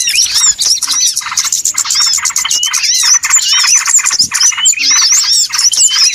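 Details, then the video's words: Lure recording of small birds used for bird trapping: a dense, noisy chorus of many overlapping high chirps, twitters and short upward and downward whistles, with no pauses throughout. "SUARA PIKAT BURUNG RIBUT ANTI ZONK"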